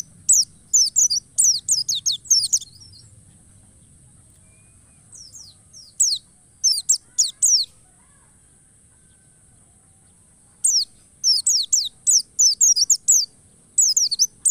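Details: White-eye song used as a lure to make other white-eyes sing in forest style, full of emotion and persistence: bursts of rapid, high, descending whistled notes, separated by pauses of several seconds, over a steady thin high tone.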